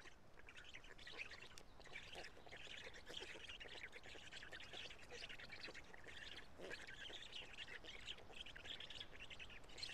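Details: Nestling Black storks in Karula on 3 June 2017, late morning, during a feeding by the male parent. Continuous wheezy, rasping chatter with brief dips, over a steady background hiss.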